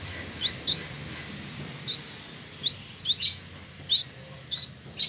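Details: Male Village indigobird from Bandung, West Java, Indonesia, kept as a tutor bird for song training, singing actively. It gives short, sharp, high chirps spaced irregularly, roughly one or two a second, with brief quiet gaps between them.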